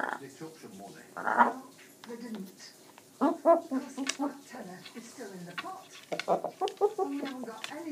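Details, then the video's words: Pet macaw chatting while dancing, giving a run of speech-like harmonic syllables in short bursts, with a loud hoarse phrase early and a quicker jumble of mid-pitched babble after a pause. "Bow the macaw having a chat and dance"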